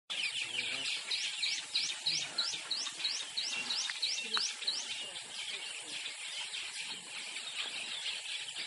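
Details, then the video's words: Weavers in Kruger National Park, South Africa chatter in a dense, continuous wheezy twitter, with a run of about a dozen quick rising swizzle notes near the start over the busy colony din. "WEAVER BIRD"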